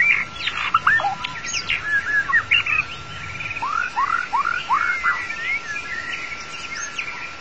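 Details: Long-tailed white-rumped shama song played as a lure for trapping the bird: rapid varied whistles and chirps, then a run of four downward-curving slurred notes, over a steady electronic hum.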